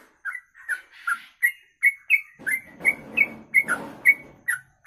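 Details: Sooty-headed bulbul giving its long kongslet song of short rising and falling whistled notes at a steady quick pace, partly overlaid by broad rustling noise in the middle of the passage.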